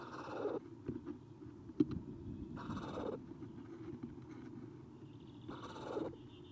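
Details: At 9:54 am on 30 April 2016, three eastern screech owl owlets on a nest cam, after the adult leaves, give three short, harsh, hissing rasps about half a second long and 2.5 seconds apart, over a low rumble.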